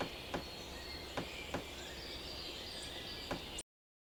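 Pileated woodpecker pecking wood: four sharp, hollow knocks spaced irregularly over four seconds, against a steady outdoor hiss and a thin high insect drone.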